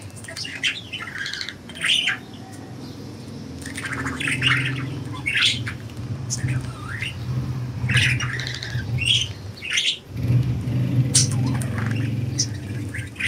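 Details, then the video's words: Pet budgies loose and flying give a busy run of short scratchy chirps and squawks, scattered and overlapping across the stretch, against a strong low engine-like drone. "Budgies Enjoying Freedom and Chirping"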